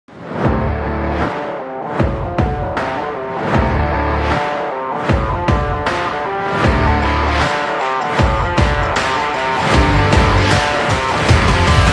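Loud, dramatic orchestral music with heavy percussion and no animal sound.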